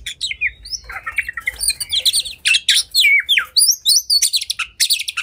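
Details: Oriental magpie-robin in a highly agitated fighting mood, singing to provoke other magpie-robins into tail-spreading; a rapid, varied stream of clear whistles, slurred upward and downward notes and scratchy chirps, mostly high-pitched, continuing without pause.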